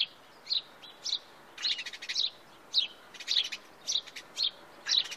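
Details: House sparrows in Wittlich, 2017: a house sparrow gives short, bright chirps about twice a second, some doubled or slightly harsh, over a faint background hiss.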